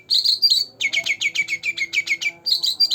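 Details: Two-month-old green leafbird kept in a cage gives a quick warble followed by a steady run of about a dozen sharp, high chattering notes, then more warbling.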